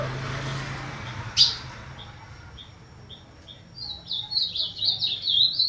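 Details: Ultramarine grosbeak, known as azulão, heard as a series of soft short chip notes at steady intervals, then a burst of rich warbled phrases near the end; a sharp click sounds early on.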